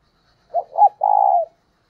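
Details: Single coo phrase from a decoy spotted dove luring wild doves: two short rising notes, then a longer level coo with a fine vibrating texture, falling at the end. Clean, quiet surroundings.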